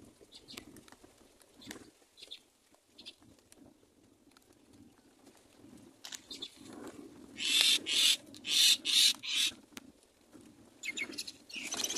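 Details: Myna chicks in the nest, waiting for their mother to feed them, give loud, harsh, hissing rasps in a quick run of four or five bursts, then more, after several seconds of faint rustling.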